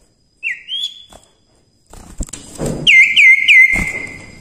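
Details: A common iora in full song, recorded for song-tutoring, gives clear whistles: a rising note, then three quick down-slurred notes running into a long, steady high whistle, with soft rustling and thumps.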